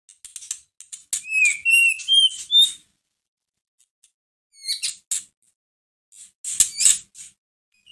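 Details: White-rumped shama song for provoking a caged bird to sing; a short phrase of clear rising whistles, then scattered sharp high chips and squeaks separated by silences.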